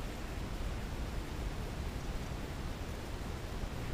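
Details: Steady broadband rushing noise, likely wind or water, with no animal calls.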